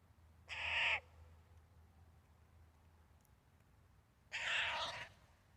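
A Eurasian jay gives two harsh, rasping screeches about four seconds apart, each lasting half a second, over a faint low background hum.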